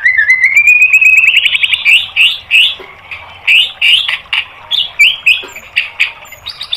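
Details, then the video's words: Training song of a white-rumped shama for caged birds: a long rising chain of rapid chattering notes that speeds up, followed by loud, varied whistled phrases with sharp clicks between them. "MASTERAN MURAI BATU biar EMOSI NYAUT jadi GACOR BONGKAR MATERI TEMBAKAN"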